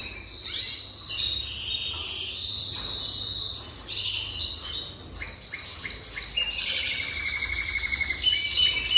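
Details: A Jaspe canary sings a long unbroken run of buzzy high rolls and trills, changing tempo and pitch from phrase to phrase, with a few sharp accented notes.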